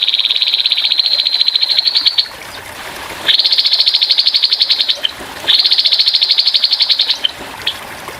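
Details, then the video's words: Grey-headed babbler's rough 'tembakan kasar' song for bird training, with murmuring water: three long, fast, pulsed trills, each about two seconds, slightly rising in pitch, separated by short pauses. "TEMBAKAN KASAR BURUNG TEPUS KEPALA ABU"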